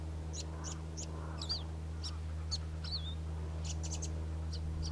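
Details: A Karoo scrub robin sings bright, high chips and two wavering, looping whistles, spaced irregularly over a few seconds against a steady low droning hum.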